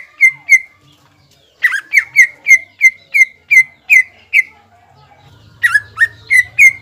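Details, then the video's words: Greater green leafbird kept as a caged songbird, singing to goad a rival: two whistled notes, a pause, then a fast series of bright slurred whistles, another gap and a final burst, with a faint low hum underneath. "CUCAK IJO GACOR MEMANCING BIRAHI AGAR CUCAK IJO LAWAN JAMTROK HIPER TETAP TERKUNCI"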